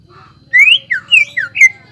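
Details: Greater green leafbird singing as a lure for other birds: a quick run of five loud whistled slurs, some rising and some dropping, after a soft low note, with a low buzzing hum underneath.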